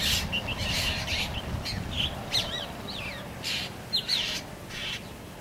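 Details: Juvenile black drongo giving thin, wavering whistled notes that twist up and down, spaced irregularly, with several loud hissing bursts of broadband noise in between.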